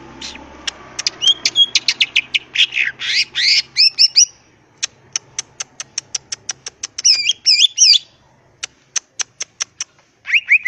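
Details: Energetic 'gacor ngentrok' singing from a green leafbird with raised crest: fast chattering and squeaky notes, then a long series of sharp ticking clicks, brief twisting high phrases, more ticks, and a final chatter.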